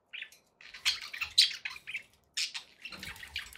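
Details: Pet budgerigars indoors making harsh, scratchy squawks and rapid chirps in irregular bursts, with faint low bumps between phrases.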